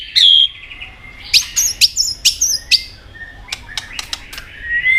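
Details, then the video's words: Caged white-rumped shama stirred to competitive singing: a loud opening whistle, a few sharp high notes and clicks, then quieter tapping and a faint rising whistle. "kích chòe lửa hót đấu đập đuôi căng lửa"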